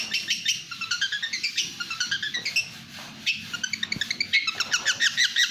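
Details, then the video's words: National champion long-tailed shrike in fast speed style, pouring out strings of quick staccato chirps and rising-falling whistled runs, with a short quieter gap before the rapid notes return. "Suara kicauan speed burung cendet/pentet juara nasional"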